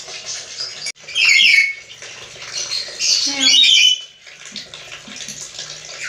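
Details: Black-capped lory, said to talk like a human, letting out harsh, high, scratchy squawks in two bursts with a short gap between, over a constant hiss of running water.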